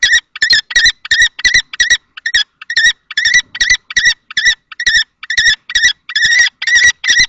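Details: Common kestrels, Théding, France, 20 March 2024, where an older male confronts a younger male at a nest box shared with a female. Harsh, shrill calls follow in a rapid, slightly uneven run.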